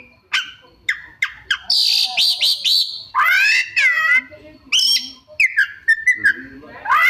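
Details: Oriental magpie-robin showing off a repertoire of borrowed sounds: sharp chips, a stuttering high buzzy series, harsh rasping sweeps, and a run of quick whistled notes, all strung together in an irregular stream.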